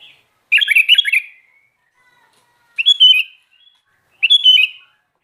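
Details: Sooty-headed bulbul in lively song: a quick bubbly burst of chattering notes followed by two separate slurred whistled phrases, each roughly half a second long and spaced well over a second apart.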